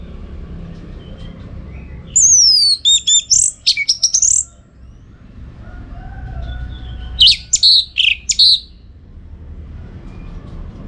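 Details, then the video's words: Orange-headed thrush singing lively, recorded to train contest birds: a descending sweep and sharp high chirps, then silence with faint hum, then another burst of quick rising and falling notes. "Masteran ANIS MERAH Gacor"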